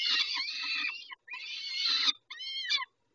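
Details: Peregrine falcons at Dobra, feeding at 11:48 on 19 May 2021: two long, hoarse, drawn-out screeches followed by a shorter, clearer whining wail.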